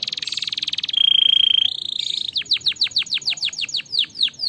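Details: Singing canary used to spur other canaries on: a fast rolling trill leads into a level, pure whistle that steps up slightly, then a quick series of sharp, falling chirps repeated about four times a second.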